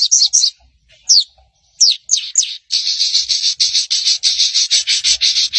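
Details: Crimson sunbird (sogon) lure sound played to make other sogon answer; a few separate high slurred chirps give way to a rapid, sustained, high-pitched chattering trill.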